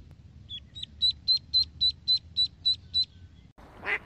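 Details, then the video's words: Ducklings swimming in a pool: clear, high, thin peeps repeated about four times a second, each short and slightly rising, over a low background hum, ending in a brief burst of noise. "Ducklings - Duckling Sound"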